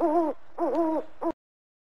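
An owl gives three soft, hollow hoots: a short note, a longer wavering one, then a brief final note, against a quiet background.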